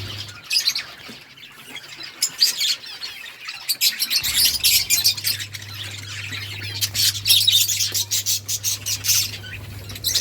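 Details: Several budgies chirping together in a busy, overlapping chatter of high, scratchy warbles and short chirps, with a quick run of sharp clicking notes near the end over a steady low hum.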